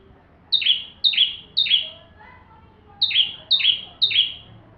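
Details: Full song of a bar-winged prinia for training magpie-robins: two bursts of three quick, identical high slurred notes, each starting with a short tick and sliding downward, separated by a pause.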